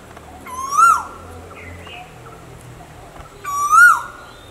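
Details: Asian koel calling, part of a male and female koel recording: two bright, rising whistled notes that swoop down at the end, about three seconds apart, with faint murmur between.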